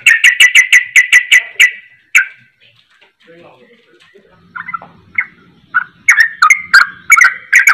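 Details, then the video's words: Yellow-vented bulbul singing loudly, mimicking a straw-headed bulbul: a rapid burst of about nine rich, bubbling notes, then after a quieter pause a second fast run of loud notes. "Trucukan Gacor Ropel Suara Cucak Rowo"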